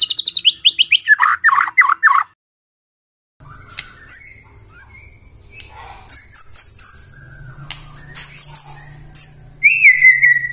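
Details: White-rumped shama song used as an early-morning lure to provoke silent shamas into singing: a rapid burst of repeated descending chips, a pause, then scattered high whistles and sharp notes over a low steady hum.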